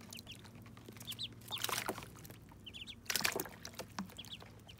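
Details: First bath of Muscovy ducklings: thin, high peeps come in small clusters while water splashes loudly twice and a low hum runs throughout.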